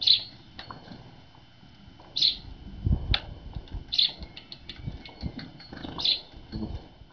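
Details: Tits arriving early at a feeder on a cold winter morning; short, high, sharp call notes repeated about every two seconds, four in all, over low rumbling background noise.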